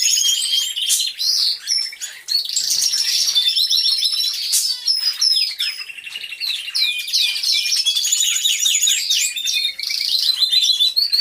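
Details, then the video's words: Many canaries singing together in an aviary: continuous high trills, sweeping whistles and fast chirp runs overlapping, with occasional sharp clicks amid the steady chorus. "CANTO DE CANARIOS | AVIARY SOUNDS (SONIDO REAL DE UN AVIARIO DE CANARIOS)"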